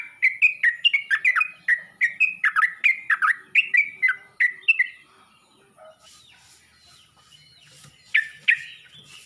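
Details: Yellow-vented bulbul calling other bulbuls: around five seconds of quick, bubbly warbled notes, then a quiet stretch with faint background noise, followed by two more short liquid notes.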